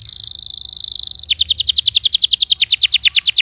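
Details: Canary singing, intended to prompt a silent canary: a very fast rolling buzzy trill shifting into a slower, evenly repeated series of sharp downslurred chips, about seven per second.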